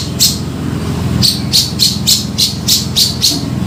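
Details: Grey-cheeked bulbul (cucak jenggot) lure call for trapping birds: short, harsh, high bursts repeated about every third of a second, some slightly louder, over a steady low engine-like hum.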